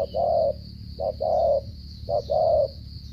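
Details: Cà Mau spotted dove in stuttering 'gù cà lăm' style, three even pairs of a clipped note then a drawn-out low coo, about one pair per second, with a constant thin high hiss behind.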